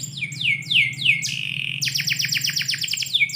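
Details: Canary singing inside a house in the morning: four looping whistles that sweep down and level off, a short held note, then a long rapid series of clicking descending notes.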